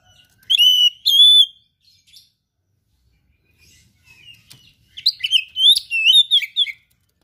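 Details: A gacor oriental magpie-robin sings in the isian style with rare material: two loud ringing whistled notes, a pause with faint chips, then a fast jumbled stretch of sweet whistles and twitters.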